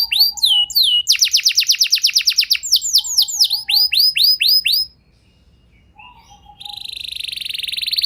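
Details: Canary song meant to provoke other canaries into sustained singing: quick trills and curved downward whistles, a short pause, then a steady high buzzing roll.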